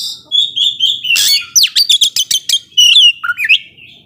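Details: Oriental magpie-robin gacor ngobra song that provokes slow-tempered rivals: a level whistle, a harsh burst, a rapid series of sharp clicking notes, then looping whistled slurs.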